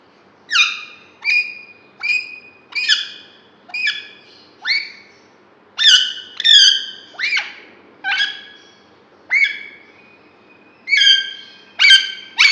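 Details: Green ringneck Alexandrine parakeet kept in a cage and described as talking actively; a steady run of short, harsh, harmonic squawk-like syllables, roughly one to two per second, in a quiet small room.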